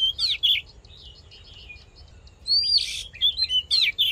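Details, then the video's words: Oriental magpie-robin fighting song, used to rouse males and train their voice: sharp high whistled slurs and a harsh buzzy burst, in two bouts separated by a quiet pause of about two seconds. "Hót Đấu Kích Trống Căng Lửa || Luyện Giọng Chòe Than"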